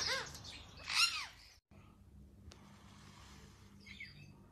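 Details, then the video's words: Indian ringneck parakeet at feeding time; two loud, harsh arching squawks, then faint quieter chatter against background hum. "ringneck parrot feed time - parrot sounds"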